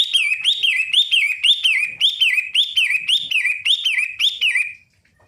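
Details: Long-tailed shrike singing a repeated whistled phrase, each note rising then dipping, delivered about twice a second in a steady run of roughly a dozen, loud and clear, then stopping abruptly.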